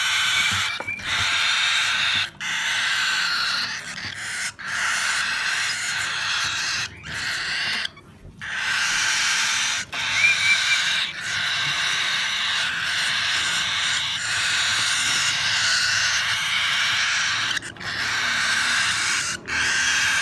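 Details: White-faced cockatiel chicks being hand-fed give a harsh, raspy, continuous begging buzz.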